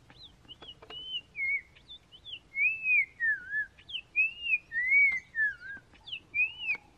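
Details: Black-crowned Tchagra in Kruger National Park, seen hiding on low bush branches, gives clear, mellow whistles, some rising and some slurring down, in an unhurried run of about a dozen notes over soft background hiss.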